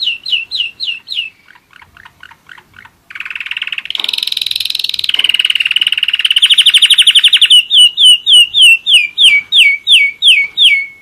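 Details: German Roller-split canary, one year old, sings spaced falling whistles, a soft low trill, then a loud rapid rolling trill rising in pitch, finishing with a run of evenly repeated swooping whistles.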